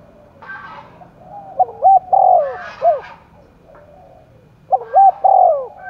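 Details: Spotted dove cooing roused for contest in Đồng Nai: quick looped notes, a long falling coo and an arched tail note, a harsher call briefly overlapping midway, then another phrase begins, faint coos in the background.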